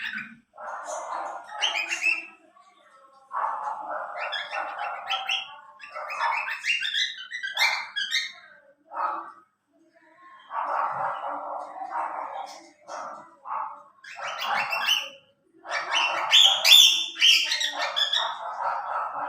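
Young cockatiels give harsh, raspy calls in bursts of a second or two, over and over.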